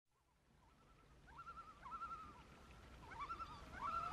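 A loon's long, wavering call holds near one pitch with quavering bends, growing louder and rising toward the end over a soft background hiss.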